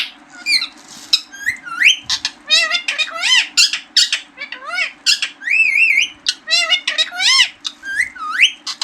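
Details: Green talking parrot, kept indoors, giving a rapid run of loud, harmonic squawks and rising and falling whistled notes in short bursts, over a steady low hum.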